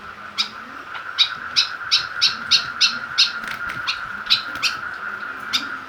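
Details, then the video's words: Caged kekep babi (white-breasted woodswallow) incited with a plastic bottle; a quick series of sharp rasping notes at about three per second, later thinning out, over a persistent shrill hum. "Cara buat burung kekep babi semakin ganas dan gacor"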